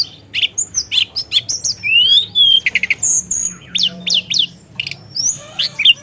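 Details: Javan tesia singing actively, rolling and filled with mimicry: sharp chips and rising whistles, a long upward-slurred whistle near the middle, then scattered high descending notes and short buzzy bursts.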